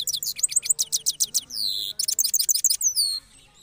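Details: Rolling song of a cross goldfinch after its moult, Parachinar: fast runs of sharp high chirps, a brief drawn-out buzzy note in the middle, then another quick twittering burst.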